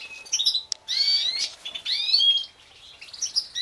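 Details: A captive-bred mutation European goldfinch from a 2016 breeding season sings a rapid, bright twittering song of liquid trills, quick slurred whistles and buzzy notes, with short pauses between bursts and a quiet background.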